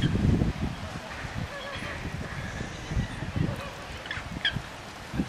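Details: Captive James's flamingos at a wetland centre give nasal, goose-like honks in a loose, overlapping chatter over low rumbling wind noise.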